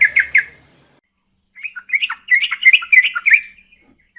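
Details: Female yellow-vented bulbul calling the male at night: a couple of sharp chirps, a pause, then a fast bubbling run of liquid notes rising and falling in quick succession.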